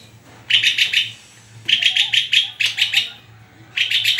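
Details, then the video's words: {'caption': 'White-rumped shama singing in short bursts of rapid, buzzy, high chattering notes, three phrases separated by pauses of about a second, over a faint low hum.'} "SUARA INDAH BURUNG MURAI GACORRRRR!!!"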